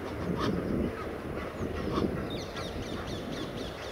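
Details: Egyptian geese perched high in a tree in Kensington Gardens, London, in December 2012, where a flock of 50 to 80 gathers, give harsh, hoarse honks in a few spaced bursts, with thin high chirps from small birds and a low rumble.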